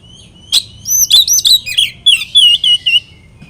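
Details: Kacer, the oriental magpie-robin, singing a provoking song meant to anger rivals: a sharp chip followed by a fast sequence of loud whistled, slurred notes stepping downward, steady and bright.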